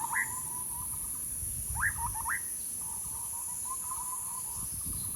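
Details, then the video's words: Bird giving a few sharp upslurred call notes and soft low chattering, with a steady high insect drone and some low rumbling noise underneath. "bird sounds"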